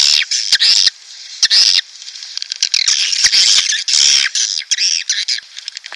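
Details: Swiftlet calls used as a lure to draw swiftlet flocks into a nesting house: continuous high, buzzy twittering with loud rasping bursts and short gaps between dense chirp sequences.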